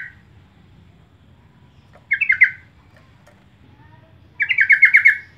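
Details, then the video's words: Lure recording of a yellow-vented bulbul: two bursts of rapid, bubbly, slightly descending chattering notes, the second longer with about eight notes, over a quiet low rumble. "pancingan trucuk terbaik dan terpopuler"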